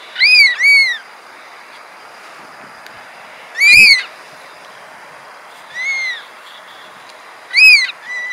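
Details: Black oystercatchers on rocks at low tide at Cesar Chavez Park, Berkeley, give loud, piercing, slightly arched whistles, singly or in quick pairs every two seconds or so, over steady surf.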